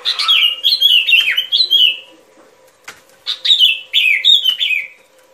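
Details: Trapping-lure recording of a sooty-headed bulbul: two groups of chirpy, downward-sliding notes, each about two seconds long, split by a quiet pause with a single click, over a low constant hum.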